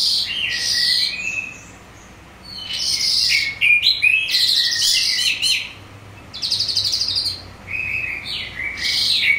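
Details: A Calandra lark pours out rich, scratchy, jumbled song in high bursts of one to two seconds, packed with buzzy trills and chirps and separated by brief pauses; used as a lure recording to get larks to respond.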